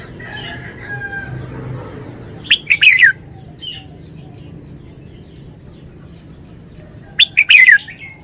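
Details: Red-whiskered bulbul singing a Thai wild-style (phleng pa) phrase: two loud bursts of quick, clear, whistled notes that slide downward, about five seconds apart, over faint background chatter and a low hum.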